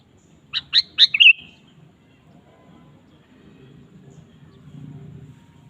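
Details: Sooty-headed bulbul singing keenly, played to coax a caged bulbul into song; a rapid phrase of three sharp rising notes ending in a bubbling whistled flourish, then only low background hum.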